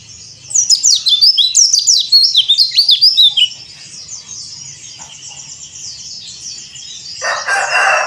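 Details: White-eye of the yellow-breasted Bali type (pleci dakbal), cor dor song for therapy of young birds: three seconds of very fast, high, tumbling twitter notes, then soft background chatter and a harsh noisy rush at the end.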